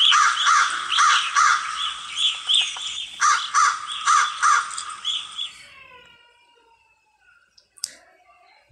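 A crow gives harsh, raspy caws in a quick run of about eight, two or three each second, before the sound fades to near silence.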